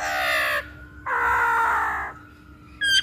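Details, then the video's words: Masked laughingthrush in a recording used to lure or train other birds: two long, harsh, buzzy bursts rich in overtones, each about a second, with a short bright note at the end. "Pancingan Poksay Hongkong"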